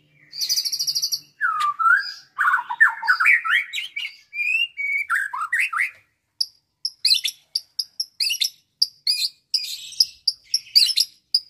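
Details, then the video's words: White-rumped shama, nine months old and trained on songs of lovebird, canary, cililin and others, gives swooping whistles and rising chirp series, then a string of short sharp high notes repeated rapidly. "MB BRUCE LEE"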